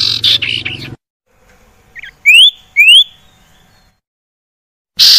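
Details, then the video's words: Common iora song, lure audio for silent caged birds: two clear rising whistled notes about half a second apart after a soft chatter, framed by harsh raspy bursts at start and end. "PANCINGAN UNTUK SIRTU MALAS BUNYI JADI GACOR"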